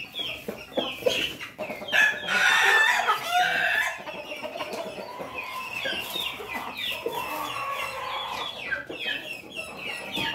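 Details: Crossbred Pelung, Bangkok and Ketawa chick with a red comb in Yogyakarta gives a loud, rough crow lasting about two seconds, surrounded by busy peeping and clucking from other chickens.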